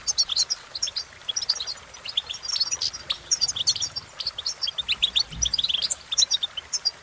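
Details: A rapid, cheerful stream of high chirping and tinkling trills from a goldfinch, sustained throughout with dense clusters of notes, with a soft low thud near the end.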